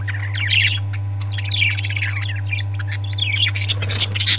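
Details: Parrots squawking almost without pause: harsh, scratchy calls and sliding shrieks overlap in a busy stream, with sharper high chirps near the end, over a constant low electrical hum.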